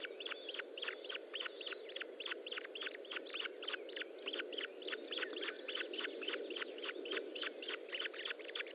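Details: Osprey at a nest during feeding, 25 June 2012 at 10:58, gives a fast run of short, sharp whistled chirps, about three or four a second, over a steady low background rumble.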